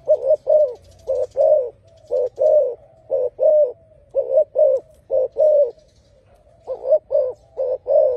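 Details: A spotted dove sings a long, loud sequence of low cooing notes, mostly in twos and threes, repeated about once a second with a short break near the end.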